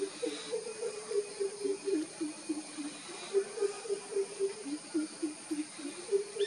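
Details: A crow pheasant, or greater coucal, at Naravi in Belthengady Taluk, Karnataka, India, on 2 July 2020, gives a long series of low, resonant hoots, three to four a second, in falling and rising groups, with steady background hiss.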